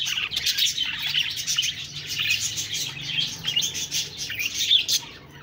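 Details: Constant budgie chirping, with many overlapping bright, raspy twitters and short squeaky notes forming a busy, unbroken babble that rises in bursts before fading slightly near the end.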